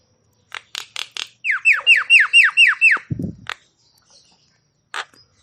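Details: Javan myna song to stimulate quiet or stressed mynas: a few sharp clicks, then seven loud falling whistled notes in quick regular succession, a low thud, and two final harsh clicks.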